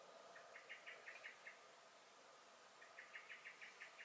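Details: Garden blackbird (Turdus merula) calling in alarm on 23 May 2021: two bursts of rapid, hard chink notes, each of about seven sharp clicks, separated by a pause of over a second.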